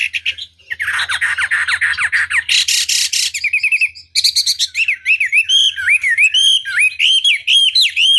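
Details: Chinese hwamei song used as a lure recording to provoke rival birds into answering: harsh chattering bursts and a loud buzzy burst give way to rich, looping whistled phrases, repeated rapidly and climbing and falling in pitch.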